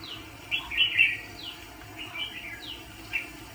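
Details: Red-whiskered bulbul decoy bird used for trapping fighting birds gives short, chirpy, warbled phrases with brief pauses between them, over a steady low hum and background noise.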